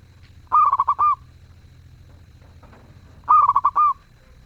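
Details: Zebra dove singing melodiously and actively: two phrases nearly three seconds apart, each a stuttering string of hollow cooing notes ending in a held coo, with faint rustling in between.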